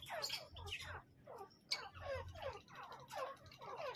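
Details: Male and female grey francolin giving a quick run of rasping, downward-sliding notes, about two or three each second, over a faint low rumble in the background.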